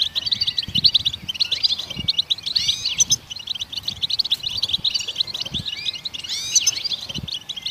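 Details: Goldfinches singing to prompt other songbirds to sing: a steady, busy twitter of high chirps with swooping slurred phrases and buzzy trills, plus faint low knocks.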